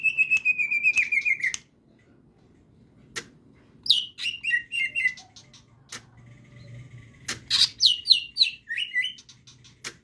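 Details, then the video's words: Crest-raised greater green leafbird in full ngetrok song: a long, high, rapidly pulsed trill opens, followed after a pause by bursts of sharp descending whistles and chattering phrases repeated several times, with occasional click sounds. "cucak hijau gacor ngejambul,ngetrok"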